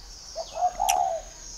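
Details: Spotted dove from a keeper's garden in Ba Vì, Hanoi, Vietnam: a single brief low coo with a rolling second part, a sharp tick in the middle and a thin background whine.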